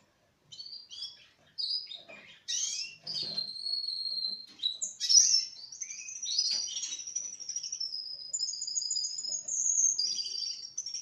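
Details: Young Russian canary, four months old, opens with short chirps, then builds into a long, high, flowing song of sustained whistles, fast rolling trills and bright warbled runs, in an otherwise quiet setting.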